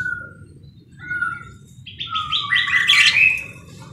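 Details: Parakeet chirping busily: thin whistled notes at first, then a dense run of fast, rising, buzzy chirps that grows louder toward the end, over a low steady hum.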